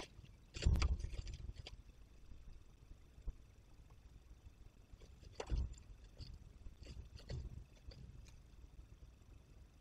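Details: Scattered knocks, thumps and rustles over a low rumble, with no animal calls heard.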